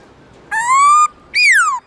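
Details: Black-throated laughingthrush singing its 'forest voice' style song in the morning: two loud, clear whistled notes with rich overtones, the first long and slowly rising, the second arching up then sliding down.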